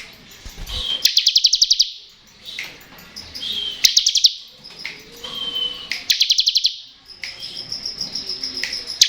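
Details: Ngebren-style song of a bar-winged prinia, played to coax silent prinias into singing: three rapid high trills of clipped pulses separated by thin chips and short pauses.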